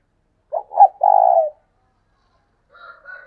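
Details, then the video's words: Decoy spotted dove cooing in the 'thúc sung' style: two short, clipped notes, then one long, rough, drawn-out coo. Fainter tonal sounds follow after a short pause. "Chim cu mồi thúc sung"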